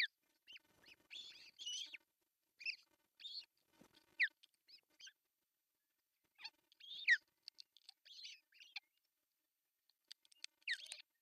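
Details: Osprey at an artificial nest in Pohjois Satakunta, Finland, June 10, 2024, with the male bringing a big fish: groups of high chirps and squeaky whistled calls, separated by quiet spells of a few seconds.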